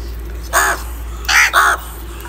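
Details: Live crow calling, linked to anger, fighting and food: three hoarse caws, a single one then a quick pair close together, each short and grating.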